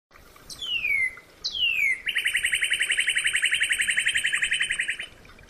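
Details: Northern cardinal song: two loud whistles slurring steeply downward, then a long, fast, even series of rapid repeated chip notes lasting about three seconds, over faint background hiss.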